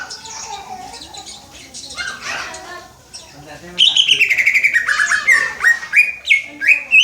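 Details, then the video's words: Young greater green leafbird in training, learning to sing and copying the "Om Telolet Om" bus horn: a busy jumble of high chirps, then a run of rapid, fluttering, descending whistled phrases repeated with rising jumps, over background chatter. "Cucak ijo belajar berkicau "Om Telolet Om""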